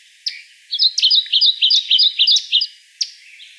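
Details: Kentucky warbler recorded in May 2014 at Land Between the Lakes, Kentucky; a rapid rolling run of about seven bright, two-note phrases in quick even succession, framed by a few isolated sharp chip-like notes before and after.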